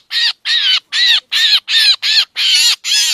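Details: Short burst of drongo lure calls for trapping: eight rough, buzzy squawks in quick succession, each with a slightly bending tone.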